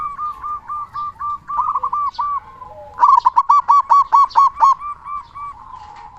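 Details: Local zebra dove known for its big voice and used to spark singing in silent doves: gentle rolling coos build into a loud series of about nine clipped, evenly repeated cooing notes, then fade to softer cooing.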